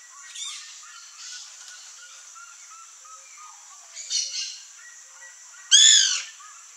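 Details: White woodpecker (Melanerpes candidus), called birro or cri-cri, at backyard fruit: soft scattered chirps and rustles, then one loud, harsh, harmonic falling call near the end.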